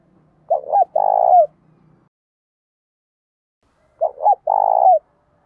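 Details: Spotted dove singing the thổ pha and hạp bổi coo styles meant to provoke a fight. Two identical phrases about three and a half seconds apart, each a pair of short hoots and a long throbbing coo, with a faint low hum early on.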